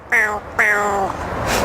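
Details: A pet talking Indian ringneck (rose-ringed parakeet), mimicking sounds and words on request, gives two high, nasal, speech-like syllables, the second drawn out and gently falling, followed by a short breathy hiss.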